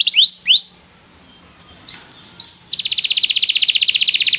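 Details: Canary singing used in canary training: several rising whistled slurs separated by pauses, then a long rapid buzzy trill.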